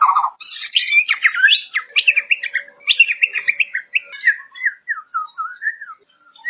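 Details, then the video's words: Loud, varied White-crowned shama song for training or prompting other birds: an opening low note, then a high scratchy burst, followed by a long chain of quick slurred whistles that eases into softer, rising and falling whistled notes. "VARIASI KICAUAN MURAI BATU KEPALA PUTIH"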